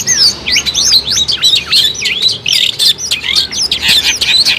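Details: Long-tailed shrike in an energetic singing compilation used as a lure for trapping birds: a fast, varied stream of high whistled sweeps, slurs and chirps with few pauses, over quiet background hiss.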